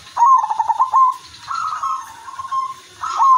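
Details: A zebra dove in active song, used to lure other doves, coos: a quick run of soft staccato notes, then longer mellow rolling coos held at one pitch, starting again at the end.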